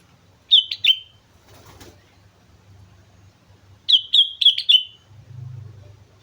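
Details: Sooty-headed bulbul singing busily at Mount Slamet: a quick burst of three bright chirps, a brief wing-flutter-like rustle, then a longer run of four or five clear descending notes, with a low hum underneath.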